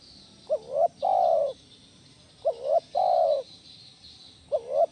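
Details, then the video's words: Spotted dove used as a lure for other doves, calling in the 'kuk 1' style: phrases of a short wavering coo and a longer, soft, falling coo repeat roughly every two seconds, with a faint high hiss behind. "SUARA BESAR PANCINGAN TEKUKUR KUK 1 GACOR"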